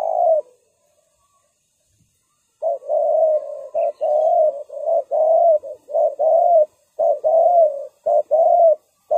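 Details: Spotted dove used as a decoy on the ground to lure wild doves for trapping. A low, mellow cooing repeats in short-then-long phrases after a brief silence, with clean gaps between notes.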